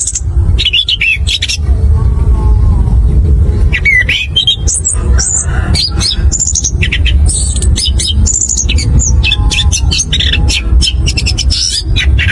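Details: Rolling, loud song of an orange-headed thrush, known locally as anis kembang, used as a lure to make other birds sing: rapid strings of clear whistles and slurred high notes over a steady deep background rumble.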